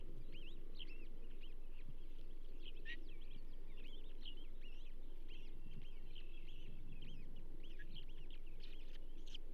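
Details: Charlo nest Osprey, 15 June 2024, with a second bull trout brought in: dense, busy high whistled chirping, notes rising and falling rapidly throughout, over a loud constant low rumble.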